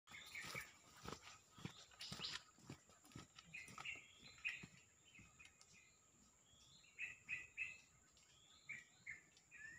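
A white-rumped shama sings short bursts of clear, bright whistled notes in quick phrases. Tapping knocks and a steady high electrical whine run underneath.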